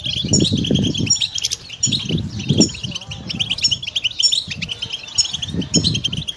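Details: Pet European goldfinch twittering rapidly in high, bright notes with scattered thin whistles, while repeated low muffled thumps and rumbles sound in bursts beneath the song.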